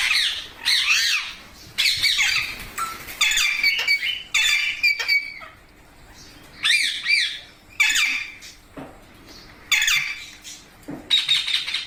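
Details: Parrot calling in loud, harsh, nasal squawks with wavering tones, delivered in clusters with short quiet gaps between them.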